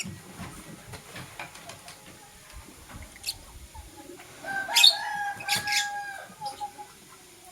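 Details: Blue and green lovebirds chirping in the morning: a few faint ticks, then a cluster of loud, harsh, broadband chirps with a tonal edge, two close bursts about a second apart, followed by softer scratchy notes.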